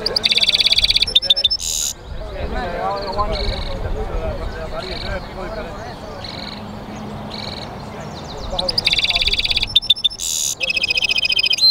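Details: Singing European goldfinch mule opens with dense, ringing trills and a harsh buzzy note. Scattered short notes and faint voices fill the middle before the bright twittering trills and buzzes return.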